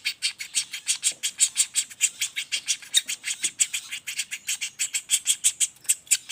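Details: Juvenile common flameback calling without pause, rapid roll used to tutor songbirds: buzzy, harsh chips in a fast, slightly uneven series of about three per second.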